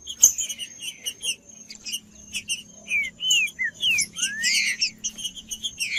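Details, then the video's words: Green-winged saltator, called a cold trinca-ferro, sung to warm up a reluctant bird: short chirps at first, then loud slurred whistles sliding downward in the second half, over a steady thin high whine. "TRINCA-FERRO CANTANDO FRIO"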